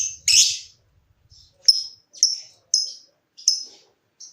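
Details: Caged lovebird ticking: a harsh burst, then short sharp high notes about every 0.6 seconds, meant to start other lovebirds trilling; faint low rumble at the start.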